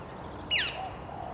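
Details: A single loud, harsh note from a male Australasian figbird drops sharply in pitch; filmed in late July 2017 at Hawthorne Canal Reserve, a popular recreation area in Sydney, NSW, with low ambient noise behind.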